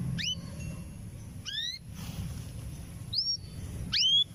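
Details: Female canary ready to breed, calling for a male: four separate high, sharply rising chirps, spaced about one to one and a half seconds apart, over a faint steady high hum and low background noise.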